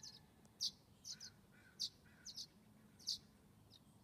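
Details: At a nest box in the morning, violet-green swallow nestlings aged 19 days crowd the hole while a parent flies by with food; bright, very high clipped chirps come singly and in quick pairs, mixed with softer, lower short notes.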